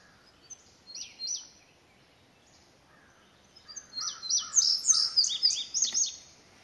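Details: Indigo bunting (Passerina cyanea) singing repeatedly, possibly in response to a house wren and other birds calling nearby: high, sweet notes in quick pairs, a brief opening phrase, a pause, then a longer run of doubled, slurred notes; faint rural background.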